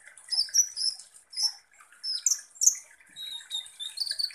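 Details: High-pitched sunbird song, a kolibri ninja played as a lure: scattered squeaky whistles and shrill chirps in irregular bursts, with a short steady whistled phrase after a brief quiet spell.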